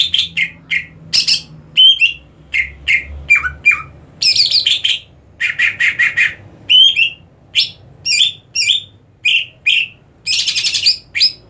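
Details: A greater green leafbird said to be ready for song competition sings a loud, fast run of varied high chirps, slurred whistles and harsh buzzy bursts, with brief pauses between the phrases.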